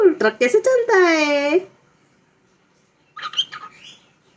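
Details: Pet parrot talking in a quick run of choppy syllables that ends in a long, richly harmonic drawn vowel dipping and rising, followed after a pause by soft, squeaky chatter.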